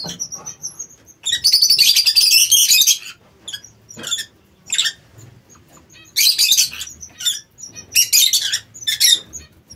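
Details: King quails kept in an aviary: bursts of sharp, high, rattling chirps lasting about a second, separated by quieter gaps with scattered short ticks, repeated three times.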